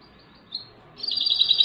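A goldfinch hybrid gives a brief high note, then breaks into a fast, twittering run of bright, buzzy trills.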